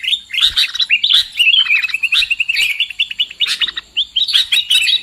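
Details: Trapping lure call of the sooty-headed bulbul: clustered chirps and twittering phrases, steady through five seconds, with gaps between bursts.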